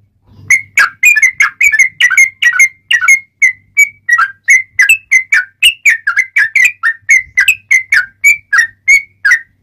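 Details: Sooty-headed bulbul, described as having a sharp, clear voice, singing a song used to train caged birds and lure wild ones: a long unbroken series of lively whistled chirps, swinging up and down in pitch.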